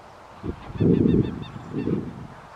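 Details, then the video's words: Tundra bean goose, wild, at Wimpole Hall, Cambridgeshire, in December: two loud, harsh, low honking calls, the first longer, about a second apart, over a faint background hiss. "Tundra Bean Goose"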